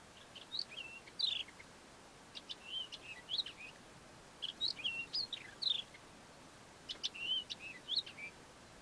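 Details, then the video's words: Song of the Melodious Lark, a southern African lark imitating other local birds: varied whistled notes, upslurs and chirps in three clustered phrases spaced a couple of seconds apart, each phrase a jumble of different short elements. "The Melodious Lark, a southern African lark, singing and mimicking other local bird species."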